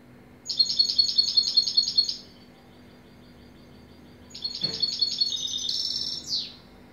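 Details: Singing European goldfinch delivering a quick run of tinkling repeated notes, a pause, then a second twittering phrase ending in a buzzy, sliding downward note and a brief click; low hum underneath.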